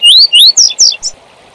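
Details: Double-collared seedeater singing the tui tui zel zel phrase used to teach young birds: two clear rising whistles, then two falling slurred notes and a short closing chip, with light background hiss.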